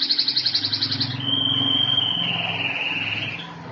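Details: Canary singing in good form: a rapid run of bright, evenly pulsed notes for about a second, then a long, level, piercing whistle held steadily before easing into buzzy trills.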